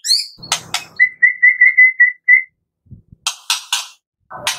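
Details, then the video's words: White-rumped shama of the Medan type, in full varied song with mimicked fills, meant to spur other shamas to sing: sharp broadband clicks, then a steady run of eight pure whistled notes at one pitch, a pause, and buzzy chattering bursts. "MURAI BATU MEDAN GACOR FULL ISIAN - AMPUH buat Pancingan murai batu pastol agar bunyi CEPAT NGEPLONG"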